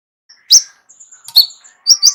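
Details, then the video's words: Kolibri ninja sunbird singing its elaborate, complete repertoire, kept as a singing tutor for other songbirds: sharp, high, separated chips and thin whistled notes, with three loud bursts spaced by short pauses. "KOLIBRI NINJA MEWAH ISIAN LENGKAP COCOK JADI GURU VOKAL UNTUK BURUNG JAGOAN KALIAN"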